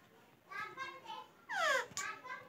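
A rose-ringed parakeet talks in a few short, nasal, speech-like syllables, ending in a louder, higher phrase that slides downward.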